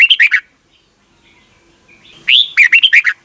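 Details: Red-whiskered bulbul song repeated as a morning lesson for young caged birds; the tail of one warbled phrase, a quiet gap, then a full phrase opening with an upswept whistle and rapid bubbling notes.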